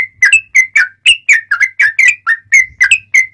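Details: Sooty-headed bulbul singing in the ngobra style, used for tutoring caged birds and as a lure to trap wild birds; clear, sharp notes near one pitch, short whistled phrases repeated about twice a second, some rising, with a faint low hum.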